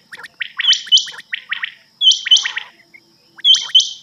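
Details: Rain quail call, a night recording used to lure birds for hunting: sharp, high, metallic double notes in clusters, each burst about a second apart, with short quiet gaps between.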